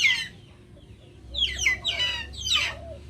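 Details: Backyard chickens outdoors. A handful of loud, harsh, downward-sweeping squawking chirps come in separate bursts, with a faint low cluck between them.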